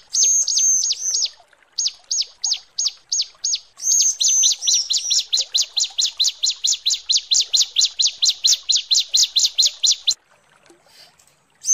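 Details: High, thin repeated notes from a female bar-winged prinia calling the male: a long steady series of fast, evenly spaced pips that speeds into a rapid run before stopping.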